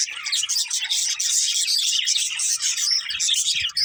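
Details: Dense, high chirping and warbling from budgies, continuous and overlapping, with faint low knocks near the end.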